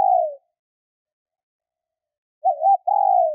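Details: Female spotted dove call used to stimulate males, heard as the tail of a falling coo, then a pause and a fresh phrase of a wavering coo and a longer descending coo, quiet background.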